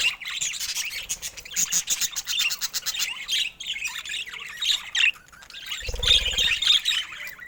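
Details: Pet budgerigars squawk and chirp in a rapid, scratchy chatter with some clearer whistled notes. A low thump is heard near the six-second mark.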